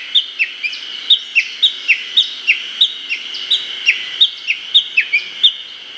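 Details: Japanese bush warbler giving its valley-crossing call (tani-watari) in an early-summer Hokkaido forest, Japan, recorded with a Nikon COOLPIX P950: a long series of clear, sharply dropping whistled notes, roughly three or four each second, steady and repetitive.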